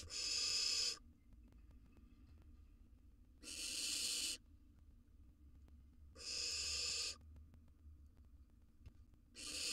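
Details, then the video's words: Wild barn owl nestling in a nest box, devouring a gerbil, gives long rasping hisses roughly every two and a half seconds, separated by quiet pauses with faint low background rumble. "Barn Owl Nestling Devours A Gerbil"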